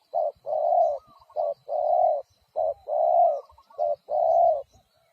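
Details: Spotted dove cooing in a steady pattern: a short low coo followed by a longer drawn-out coo, the pair repeated about four times in quick succession, loud and clear against a quiet background.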